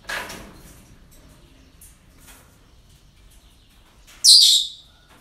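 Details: Breeding-centre parrot giving one sudden rasping shriek near the end, preceded by faint scattered rustles and softer distant calls.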